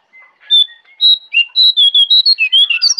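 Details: Jongkangan in the forest at Kintamani, Bali, singing energetically: a rapid run of loud, clear whistled notes, each one short and level or gently sliding, with some pitched higher and some lower, following almost without pause.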